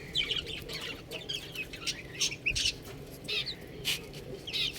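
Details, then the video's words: Chicks chirping: repeated short, high peeping notes at irregular intervals, some clear and rising, over a low background rumble. "Adorable Chicks Sound | Beautiful Chicks Chirping Sound"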